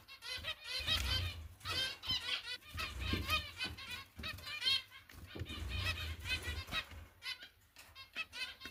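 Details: Zebra finch chicks beg in rapid, raspy, high-pitched bursts while their mother feeds them.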